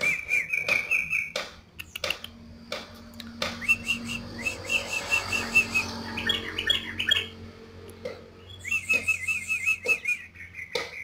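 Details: Yellow-vented bulbul (trucuk) singing in lively 'gacor' style: bubbly, liquid chirping phrases of quick repeated notes at a fairly high pitch, coming in short runs separated by clicks and brief pauses, over a low background hum.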